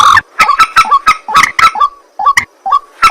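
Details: White-breasted waterhen at night: a rapid series of short, hard, clucking notes with a tonal ring, repeated several times a second, then a few spaced, upward-flicking notes.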